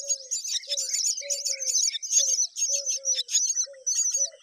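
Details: Myna chicks being fed repeatedly by an adult: dense, harsh, raspy high chatter in rapid bursts, with short low tonal notes recurring about every half second beneath.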